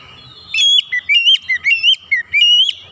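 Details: Oriental magpie-robin, song played as quick therapy to get stalled magpie-robins singing: an unbroken run of about eight sweet whistled notes, each dipping and rising in pitch, over a faint low hum.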